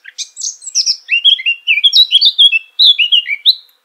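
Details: Eurasian blackcap singing a fluent, rich warble that slides into clear, fluting whistled phrases, falling in pitch and repeated quickly. A short break comes before a final whistled flourish.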